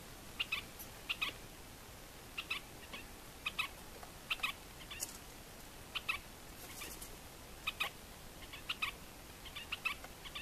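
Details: A Red-shouldered Spinetail (Synallaxis hellmayri), a threatened Caatinga endemic of northeast Brazil, seen as a pair, vocalizes with short, sharp, high, dry chattering notes in quick bursts roughly every second over steady background hiss.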